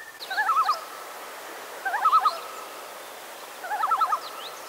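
A Common Loon gives three quavering, laugh-like tremolo bursts, each about half a second long, spaced roughly two seconds apart in a quiet setting.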